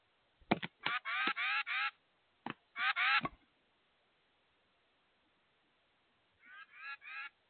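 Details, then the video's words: A very vocal titmouse calls at a bird feeder, giving harsh, nasal notes in quick clusters of two to four, then a long silence before a softer, more distant set of three raspy calls. "Very Vocal Titmouse at the Bird Feeder"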